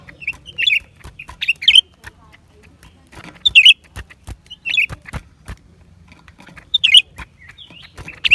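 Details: A lesser green leafbird delivers brief, bright, twisting chirp phrases spaced a second or more apart, each a quick squeaky flourish, amid frequent dry clicking noises.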